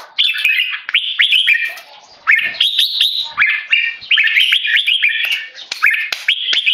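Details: Tame male red-whiskered bulbul, Singapore-raised, loudly giving keke calls when disturbed by people: clipped, upslurred chattering notes in quick clusters, with a short, quieter lull just before the second second.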